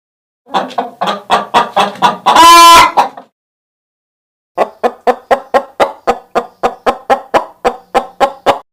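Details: Chicken clucking in quick regular bursts, interrupted by a long nasal squawk, then after a short silence a steady run of sharp clucks roughly three per second.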